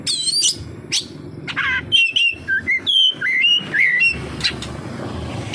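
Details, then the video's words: Oriental magpie-robin singing with full kapas tembak mimicry: scratchy opening notes, then a string of short whistles dipping and rising about twice per second over a low background hum. "SUARA BURUNG KACER, FULL ISIAN KAPASTEMBAK"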